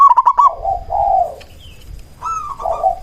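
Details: Local zebra dove used as a lure to make other zebra doves call back. A quick stuttered run of clipped notes flows into a low, mellow coo. A second rising coo follows after a short pause.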